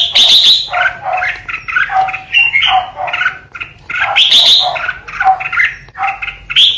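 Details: A captive decoy red-whiskered bulbul pours out a fast, chattering song of bright, liquid, warbled notes, bursting into sharper high phrases roughly every four seconds.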